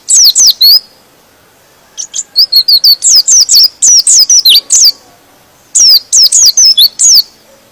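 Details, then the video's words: White-eye song used to trigger other pleci to sing: clusters of quick, high, slurred chirps come in bursts of four to ten notes with short gaps between. "Suara Pleci ini bikin Pleci Lain Emosi dan ikut Gacor"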